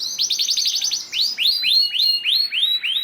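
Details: Canary lure song for stirring other canaries into song: a quick rattling burst of high notes followed by five or six slower, rounded, rising-then-falling whistles, evenly spaced.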